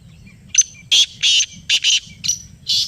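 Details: Black francolin, or kala teetar, responding to a played call: a clipped opening note followed by six rough, grating notes in uneven pairs, over faint low-pitched background noise.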